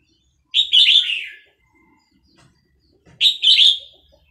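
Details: {'text': 'Vietnamese red-whiskered bulbul kept as a cage bird sings two loud, quick, bubbling phrases about two and a half seconds apart, roused by a played recording of chicks.'}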